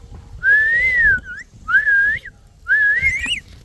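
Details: Parrot whistling three drawn-out phrases, each wavering gently and then rising sharply at the end, separated by short pauses, over a faint low hum.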